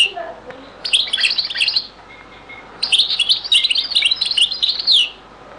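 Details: European goldfinch, old recording in the Beni Messous 'les avocats' or zaboka song style: two long, fast phrases of bright, tinkling twitter notes with a short gap between them.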